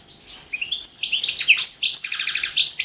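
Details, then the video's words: European goldfinch singing for an online song championship: busy, tinkling twitter of rapid chirps with a sharp upslurred whistle midway and quick repeated notes toward the end. "World championship in Goldfinch Song 2017"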